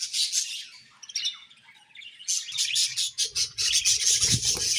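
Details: Budgies keep up steady, grating high chatter that dips briefly, then returns in rapid pulsing chirps, with some low fluttering noise underneath toward the end.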